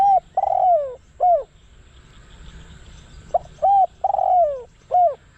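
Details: Spotted dove working as a decoy to draw wild doves. It gives two coo phrases about three seconds apart. Each has short hooting notes around a long, husky, downward-sliding croo.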